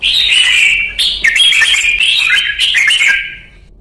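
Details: Red-whiskered bulbul ('chào mào') in 'ché' song training: a continuous stream of clear, lively whistled notes, rapid and uneven, fading after about three seconds.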